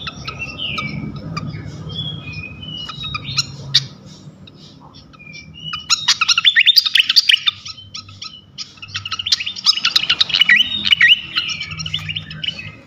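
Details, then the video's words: Flycatcher song used to provoke other flycatchers: slurred descending whistles and short notes at first, then two long bursts of dense chattering and rapid twittering with sharp clicks. "Auto Konslet gacor ngeplong sikatan manapun sekali pancing ini."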